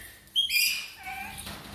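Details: Parakeet giving a short, clear whistled note with bright overtones, followed by a few lower, wavering chirps that bend up and down, and a faint rustle near the end.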